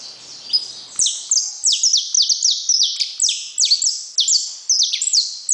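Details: Saffron finch in a steady, fast run of piercing high notes, each dropping steeply in pitch, nearly continuous and echoing, after a click at the start.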